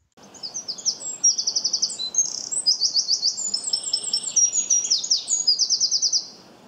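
A Eurasian Wren delivers a loud, fast, high-pitched song of bright notes and rapid trills, running continuously for about six seconds.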